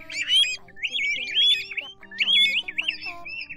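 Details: Pacific golden plover calls used for night-netting migrating birds, August 2024, Vietnam: high, clear, slurred whistles in quick overlapping bursts, rising and falling, several birds seeming to call together, over a faint steady hum.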